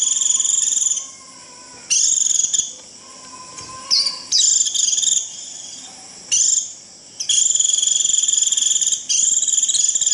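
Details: Japanese white-eye giving the 'rít' flock call: a string of high, buzzy, rapidly pulsed trill bursts of one to three seconds separated by short pauses, with a soft low whistle audible between bursts.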